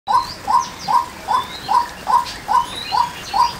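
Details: Female white-breasted waterhen calling: a short, hollow note with a slight rise and fall, repeated steadily about two and a half times a second, with faint high chirps from other birds in the background.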